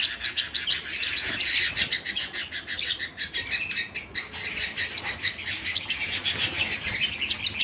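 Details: Indoor canary song at home, a sustained rapid rattle of high chirps and buzzy trill phrases carrying on steadily for several seconds.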